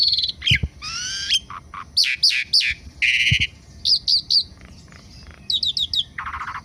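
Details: Asian pied starling, Indonesia, active in the morning: buzzy rasping bars alternate with quick sharp upswept chirps in groups of three or four, a few lower whistles, and a closing grating buzz.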